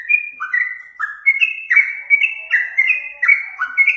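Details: Yellow-vented bulbul lure sound, made of sweet whistled notes sliding down between two pitches, with phrases spaced roughly every half second.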